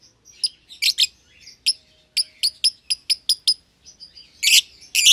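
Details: Two young lovebirds, euwing green opaline and red-eyed albino, caged as a pair: rapid series of short high chirps, closing with louder harsh bursts.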